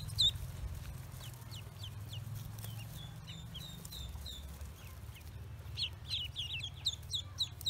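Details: Newly hatched Pekin ducklings on a farm utter soft, high, sliding peeps in loose series, growing denser toward the end, above a constant low hum.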